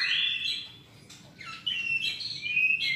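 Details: Champion White-rumped shama singing song rich in filler material: a loud high whistled phrase, a short pause, then sweeping whistled notes rising and falling, with a faint low hum behind.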